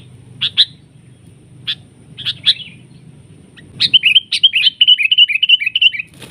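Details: Sooty-headed bulbul drawn in by trappers and fighting a decoy bird; several separate sharp chips spaced apart, then a rapid, rattling run of bright, slurred notes lasting about two seconds over faint low background noise.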